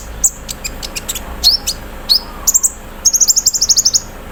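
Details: Olive-backed sunbird (konin) set out in the morning dew, singing an 'embroidery machine' filler style with 'cerrr' trills: high thin chirps and sharp upslurred notes, then a fast even run of about ten high ticking notes.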